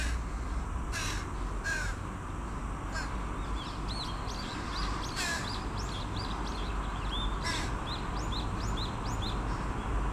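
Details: A grown juvenile carrion crow begs a parent for food with scattered hoarse, rasping caws. Many quick, high chirping notes from other small birds run through the second half, over a heavy low rumble.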